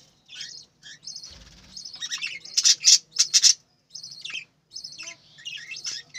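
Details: High, chattering budgerigar chirps from birds kept on a farm, in quick, uneven runs with a few sharp, louder squeaky notes in the middle and a low thump early on.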